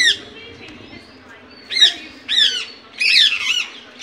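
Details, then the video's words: Indian ringneck parakeet calling naturally: after a quiet start, four harsh, down-curving squawks come roughly every half second, the third longer and more ragged, ending with a short clipped note. "Natural Voice of Parrot 🦜."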